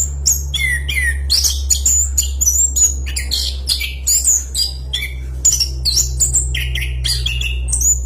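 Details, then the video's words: Orange-headed thrush singing energetically: dense bursts of bright whistled notes, slurred chirps and scratchy fragments in a long rolling sequence, very loud and fast, with a steady low-pitched hum in the background. "Suara Burung Anis Kembang Gacor Kicauan Roll Panjang Ngeplong Kencang"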